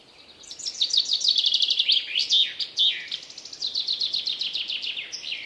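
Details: A wild chaffinch gives several bright trilled phrases in quick succession, the rapid notes falling in pitch and broken by sharp, emphatic accents.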